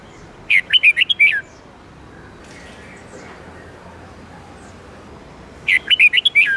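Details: Red-whiskered bulbul training song, 8-9-10 note style, for caged birds: two identical bursts of rapid, rolling whistled notes about five seconds apart, with faint hiss and soft distant sounds between them.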